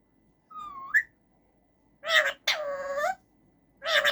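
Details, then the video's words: Male rose-ringed parakeet kept in a cage, giving a slurred whistle that dips and then rises, followed by a short burst, a long flat harmonic call, and another harsh note. "Talking Raw Parrot making different sounds"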